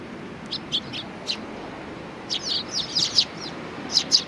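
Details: Sparrows chirping at a shrine on 4 July 2019, a few soft notes first, then a busier run of overlapping high chirps.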